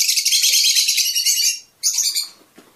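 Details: Fischer's lovebird song meant to stimulate mating: a dense, continuous, scratchy high chatter lasting over a second and a half, a short gap, then another shrill burst that fades.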